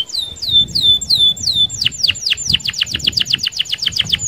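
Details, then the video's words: Canary in rolling song meant to prompt other canaries to sing: slower looping high whistles shift abruptly into a rapid run of short steep downward notes, about five per second. "SUARA KENARI Gacor Roll Sped Mantap - Cocok Buat Pancingan Kenari Anda."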